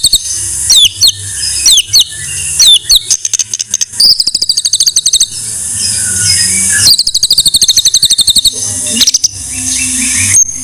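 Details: Song of a white-rumped shama as a master training recording: repeated sweeping whistled phrases, long fast rattling trills, harsh buzzy passages and scattered high whistles.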